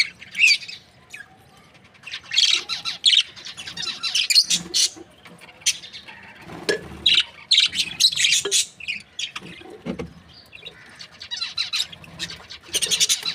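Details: Australian budgie breeding pair, described as happy, chirping: continuous lively chatter of high squawks and twitters in uneven bursts throughout, with brief quieter pauses.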